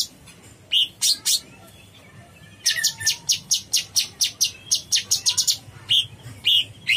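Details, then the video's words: Cucak cungkok bulbul in energetic song: a few sharp chips, a brief pause, then a long rapid series of crisp high notes, ending in separate clear whistled chirps. "Suara burung cucak CUNGKOK gacor"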